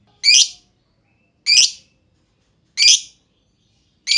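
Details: Lovebird calls used as a lure to start other lovebirds singing: loud, scratchy, high-pitched chirps repeated about every one and a half seconds, with silence between.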